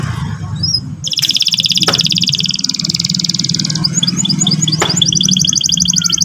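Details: Canary song meant to provoke a young canary into singing: a sustained, high, rolling trill running unbroken for several seconds, then shifting into a series of short, sweeping notes and another fast trill, over a steady low hum.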